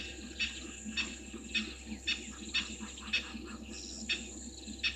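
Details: Spurfowls at the Gowrie dam waterhole, Djuma Game Reserve, Sabi Sand Wildtuin, South Africa, at 17:04 on 22 August 2023; harsh, scratchy bursts repeated irregularly, roughly twice a second, faint and distant over a steady low hum.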